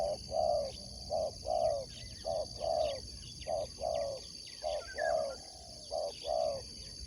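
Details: Spotted dove kept for sport dove competition, cooing: soft low hollow coos in short paired and single notes, repeated steadily almost once a second, with a faint steady high-pitched whine in the background.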